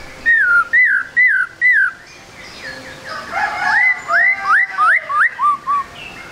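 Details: A white-rumped shama, spotted 'trotol' type, in active lure song: four slurred downward whistles evenly spaced, then a quick series of rising whistled notes over a softer warble.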